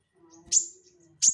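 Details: Active crested jay calling, meant to prompt and tutor caged songbirds: two abrupt, piercing high chips nearly a second apart, with a quiet steady low tone in between.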